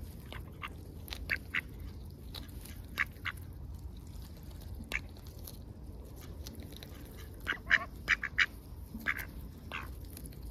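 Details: Ducks on a heavily overcast day, busy with their daily routines; scattered short quacks, sparse at first and then a quick cluster of loud calls near the end, over a steady low rumble.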